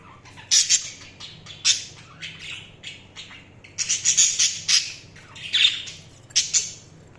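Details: Chattering budgies give rapid high chirps and scratchy squawks in clustered bursts, with several loud runs of quick notes.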